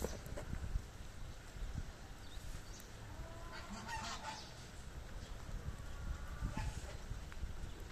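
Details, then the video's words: On a rainy day in October 2024, a goose gives a few nasal honks, clustered near the middle and again toward the end, over a steady hiss of rain and a low rumble. "the sound of a goose"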